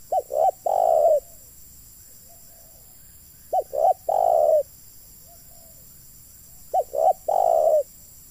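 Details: Luring call of a spotted dove used to trap wild doves: three loud phrases about three seconds apart, each two short clipped coos then a prolonged coo, with faint distant notes in the gaps.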